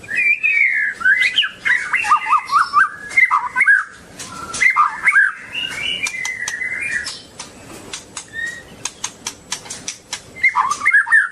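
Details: Long-tailed white-rumped shama singing a rich, varied run of whistled phrases, sliding and warbling between mid and high pitch in bursts, with pauses and sharp clicking ticks scattered through the later half.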